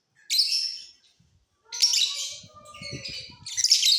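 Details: Mutation lovebirds singing in a flying cage during the off season: three bursts of shrill, buzzy high chatter separated by short pauses, with faint low knocking sounds in the background.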